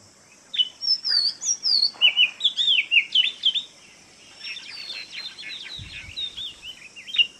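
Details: Oriental magpie-robin song from Kerala: a varied sequence of high, sweet whistled and warbled notes, each phrase different, followed by softer chattering; a brief low thump partway through.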